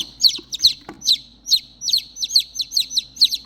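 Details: Baby chicks, three of them, calling for their lost mother: piercing falling peeps, often in quick pairs from several birds overlapping, about three per second, with a soft knock near the middle.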